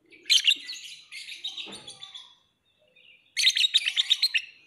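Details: Shrill, grating twitter from a lovebird, a dense run of high chirps, a short quiet gap, then a loud rapid stutter of harsh notes.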